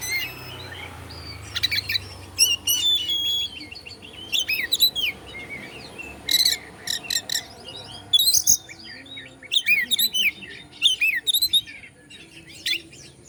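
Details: White-rumped shama pouring out a varied song to stir up other shamas: quick trills, swooping whistles and sharp bursts in rapid succession, with a soft buzzing background.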